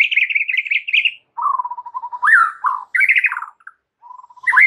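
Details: White-rumped shama singing loudly with mimicked filler phrases, played to rouse silent, stressed shamas: quick chattering notes, then a low, steady run of soft whistles, rising rolling phrases, and another low whistled series.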